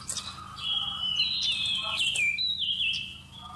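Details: A Seychelles magpie-robin's drawn-out warbling whistle from a November 2016 trapping lure recording: one sustained high phrase twisting up and down, a lower whistled thread underneath, with faint hum in the background.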